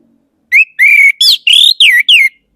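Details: Orange-headed thrush song: six clear whistled notes, some steady, some sliding up or down, delivered in a quick run with short gaps and no other sounds.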